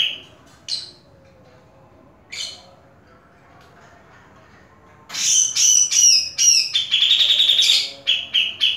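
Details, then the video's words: A few scattered high chirps from a caged grey-cheeked bulbul, then a sudden loud outburst of rapid whistled trills and sharp repeated notes over the last few seconds. "video cucak jenggot gahar"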